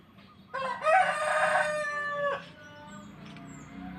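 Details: Rooster crowing in the morning in a village: one loud, harsh crow lasting almost two seconds, rising then held and dropping off, with faint distant clucks and another far crow after.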